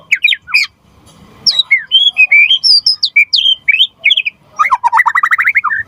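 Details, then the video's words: White-rumped shama singing to prompt other birds to sing, a varied run of whistled notes sweeping through mid to high pitches, ending in a fast rapid trill of repeated notes. "Suara Murai Batu Gacor Biar cepat BUNYI Auto NYAUT buat Pancingan & Masteran Burung Murai"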